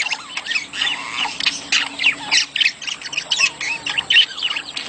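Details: Budgerigar mating calls, used as stimulation for egg laying: quick, uneven bursts of squeaky chirps and scratchy warbles, several a second. Short whistled upslurs are scattered among them, over a faint steady hum.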